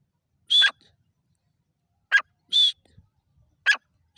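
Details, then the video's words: Grey francolin giving a few spaced calls, a steady high whistle alternating with a short harsh note, with long quiet gaps. "Gora teeter ki awaaz|Dakni teeter ki voice|تیتر کی ساونڈ"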